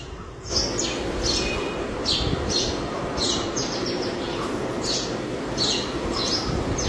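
A male house sparrow gives short, bright chirps, roughly two a second, in a steady run over a constant low rumble of outdoor noise.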